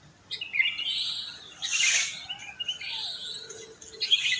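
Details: Sooty-headed bulbuls just after dawn by houses: a rising chirpy phrase, a loud broadband rustle at about two seconds, then softer trailing notes and more tweets.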